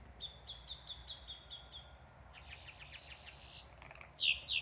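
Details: On a cold day by a lake in Ocala National Forest, grackles call in a noisy run of short, sharp chips and squeaky notes, several per second, ending in harsh, louder squawks; a pileated woodpecker's rapid drumming is heard between them.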